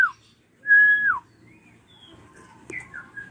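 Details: Ashy drongo used as bait to get young birds singing. A short falling note, then a loud level whistle ending in a downward slur, followed by soft faint whistles and a brief click.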